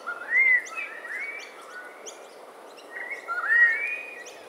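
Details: Yellow-tailed black cockatoos at Botany in March 2012, eating pine cones: a clear arched wail, softer overlapping calls, then a second long rising-falling wail, with faint chips from other birds above and steady background hiss.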